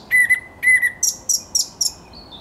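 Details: Thrush nightingale song recorded 10 May 2021, with two rich doubled notes near two kilohertz-like pitch followed by four high, buzzy strokes and a soft fading whistle.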